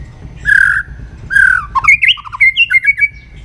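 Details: White-rumped shama in morning voice training: two harsh, buzzy squawks, then a fast varied string of short whistled and chattering notes.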